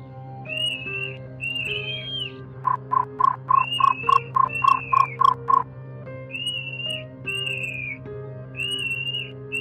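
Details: Nightjar sound used as a lure for night-net bird trapping: a regular series of about a dozen short, knocking notes, roughly three per second, over a steady low hum and overlaid by repeated high, slightly falling whistles from another source.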